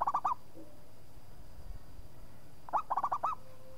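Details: Local zebra dove singing actively: two phrases of four rapid, bouncy, arched coos, separated by about two seconds of near silence.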